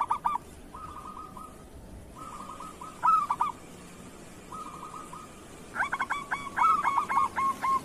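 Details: Local zebra dove singing kerot style as a tutor song: short soft rolling trills alternating with loud clipped coos, ending in a rapid repeated run of about ten strong notes.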